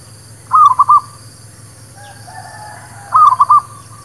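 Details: Song of a local zebra dove, played to lure birds into traps and to settle new birds. Two short, rolling coo phrases of clipped notes, roughly two and a half seconds apart, with a faint low drone beneath.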